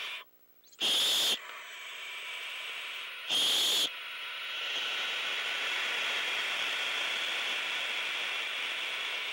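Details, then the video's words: Two loud, harsh hisses half a second long, linked to an adult owl's defence, rise above a steady breathy hissing from owlets waiting at night for prey to arrive. "Defensive Hiss"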